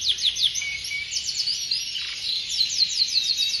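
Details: Canary singing in rapid, bright trilled runs, repeated sweeping notes rolling on continuously with no pauses, a high steady ringing tone running alongside throughout.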